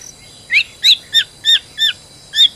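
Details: White-rumped shama, a stressed bird played as a lure to get another to sing, gives six short high chirping notes spaced about a third of a second apart against quiet background hiss.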